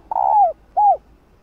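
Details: Female spotted dove cooing to stimulate males. A long, smooth coo that glides downward at its close, followed by a shorter arched coo falling in pitch.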